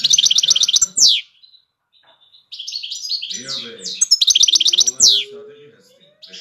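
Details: Five-year-old adult European goldfinch singing: fast bursts of high twittering notes with sharp downward-swept buzzy calls, pausing briefly midway, with faint low hum beneath.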